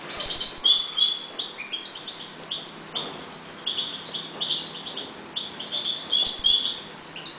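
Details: European goldfinches breeding in a cage, calm; a continuous rapid twitter of bright chirps, trills and short whistles, dense and high-pitched throughout.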